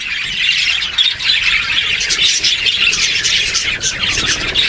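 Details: Begging parakeet hatchlings give a steady wash of high, hissing, rasping squeals, many voices blending into one continuous churring chorus with little pause.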